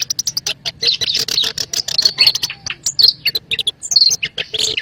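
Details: Lure sound of a black-browed reed warbler, used to draw birds for trapping. A rapid run of scratchy chirps and buzzy notes is broken by brief clear whistles, and the stuttering bursts keep going throughout.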